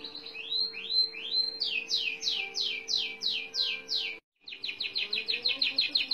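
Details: Merlok canary rolling at length: a few slow rising-falling whistles, then a series of bright downward sweeps, a brief silence, and a fast repeated high trill.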